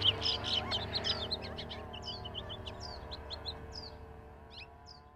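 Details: Mated quail couple drinking at a Tucson, Arizona desert trail camera: a loud burst of clustered high chirps at the start, then sparse, thin, downslurred notes every second or so, fading, with low machinery hum beneath.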